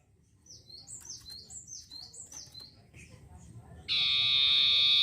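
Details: Long-tailed shrike in full, energetic song used as a lure to agitate other birds: a run of high, sharply down-slurred whistled notes repeated rapidly, then a loud steady buzzing tone that drowns out the rest.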